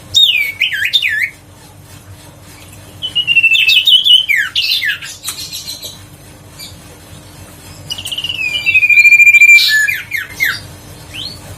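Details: Huyt co bird lure call, played to coax reluctant birds to sing: three separated bursts of warbled, twisting chirps, one ending in a long steady whistle, with faint quiet stretches between.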